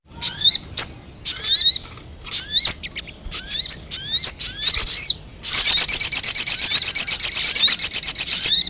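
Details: Lure call of the ruby-cheeked sunbird, meant to draw in wild birds: short, sharp high chirp phrases about once a second, then an unbroken, shimmering stream of fast high twitters.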